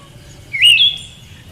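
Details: Female Siberian thrush giving a single sharp call: a quick rising chirp that levels into a short bright whistle, lasting about half a second over quiet background hiss.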